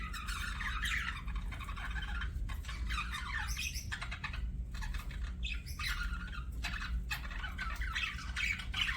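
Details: Pet budgerigars chirping: bursts of harsh, buzzy squawks and warbles, broken by brief pauses, over a steady low hum.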